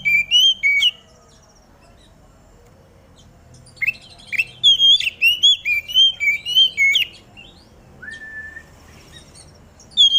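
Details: Oriental magpie-robin set out in the dew, singing to provoke others of its kind into song: bursts of sweet, varied whistles and twittering notes, a fast phrase of about a dozen notes mid-clip, then a single drawn-out whistle.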